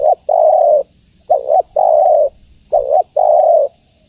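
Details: A female spotted dove calls for a male with mellow cooing. A brief opening note, sometimes doubled, precedes a long flat coo, and the phrases repeat steadily in a clean recording.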